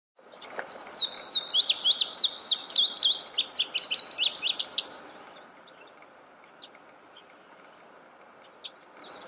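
Indigo Bunting singing a bright, high, rapid run of paired sweet notes for about four seconds, then a pause before the next song begins.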